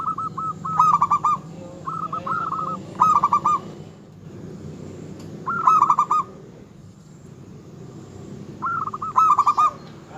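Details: Local zebra dove, an eager singer whose song is said to rile and arouse rival males, giving bubbly stuttered coo phrases at intervals of about two to three seconds over low rumbling background noise.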